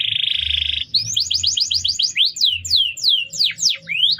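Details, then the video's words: Training song of a canary, opening with a buzzy roll, then a fast train of rising notes and a set of loud swooping slurs, each about a third of a second apart, with low hum underneath. "Masteran burung kenari"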